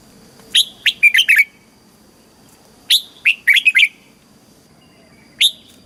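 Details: Caged-bird training song of the red-whiskered bulbul from Thailand, southern master style, used to excite birds and tutor chicks: two fast bursts of clear, bubbling whistled notes about two and a half seconds apart, then a single note.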